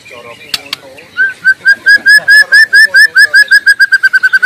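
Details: White-rumped shama in the wild, suited as lure and master song: soft low warbling, two sharp clicks, then a long steady series of about seventeen mellow whistled notes repeated evenly.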